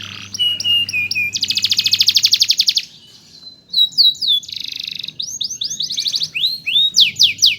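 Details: Domestic canary singing as a master bird for tutoring other canaries: clear whistled notes, then a long, fast buzzy trill, a pause, and bright rolling trills with sweeping whistles. A steady low electrical hum sits underneath.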